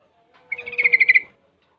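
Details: Young sooty-headed bulbul, six months old and learning ropel and garuda song, delivers one clear trill of about eight rapid, evenly spaced buzzy pulses lasting under a second.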